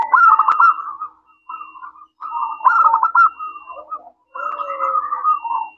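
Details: Zebra dove of a local strain singing a crisp, bubbling trilled song meant to make other doves reply; several rolling whistled phrases of one to two seconds, each broken by brief silences.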